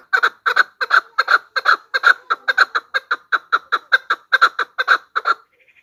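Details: Hunting lure recording of a female chukar: about three harsh clucking notes per second, often doubled, keeping an even rhythm for over five seconds before a faint thin whine at the end.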